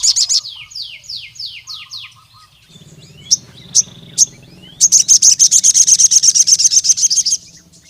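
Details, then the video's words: Crimson sunbird caught in the wild, calling a rival male: a row of downslurred high notes, a few sharp isolated chips, then a long, even, rapid rattle of piercing high ticks over a low hum. "SUARA BURUNG SOGON NGALAS GACOR MEMANGGIL LAWAN JANTAN INI"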